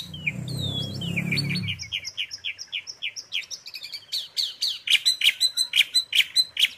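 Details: Asian pied starling filler song for tutoring: opening warbled whistles over a low rumble, then a steady series of short ringing notes repeated roughly three times per second, ending in crisp rhythmic clicks.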